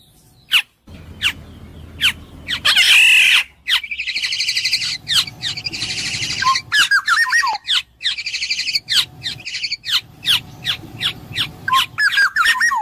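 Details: Black-naped oriole giving many sharp harsh notes with long rasping, buzzy stretches and short liquid whistled phrases, busy and continuous.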